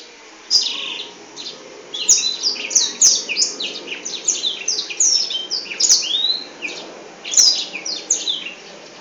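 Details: Singing with its wings spread, a Black-throated canary produces a long run of fast, high-pitched twittering, with bright slurred whistles and chattering trills packed closely together and a few faint clicks.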